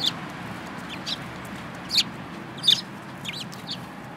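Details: Several sparrows, including one with a yellow bill, recorded 24 February 2018; short high chirps come singly and in small bursts about every half second to second over a steady low background hiss.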